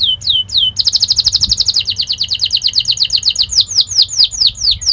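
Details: Canary singing a training song meant to teach young birds: fast, sharp trills of rapid repeated notes around high pitch, downward-sweeping whistled syllables alternating with dense buzzy rolls, loud and continuous.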